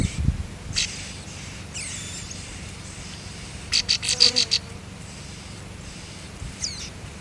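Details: Young birds in a nest being fed by their mother, breaking into a quick series of six high, piercing chirps midway, with a few faint squeaks before and after against quiet outdoor hiss.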